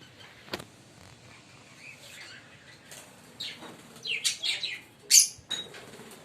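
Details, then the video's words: A green pair of Fischer's lovebirds gives scattered sharp, high chirps and squeaky bursts, loudest near the end, with a brief wing-flap-like rustle early on. "Lovebird singing & Chirping Sound 5 Minute - Green Fischer pair"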